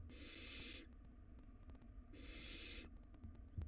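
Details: Wild barn owl nestlings squabbling in their nest box over a very large rodent; two extended harsh hissing screeches, each close to a second long, separated by a pause of over one second.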